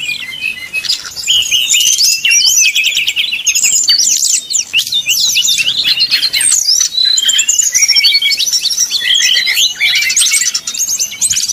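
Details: Brown-chested Jungle Flycatcher song in nyuling style, played to make rival birds sing quickly. Dense, lively high-pitched whistling with quick slurs and chattering trills runs almost continuously throughout.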